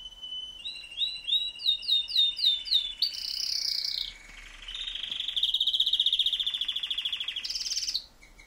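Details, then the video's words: Pet canary singing: a steady whistled tone, then six rising slurred notes about half a second apart, then long fast buzzy trills, sliding lower, ending with a high rolling trill. "Vogi singt gemeinsam"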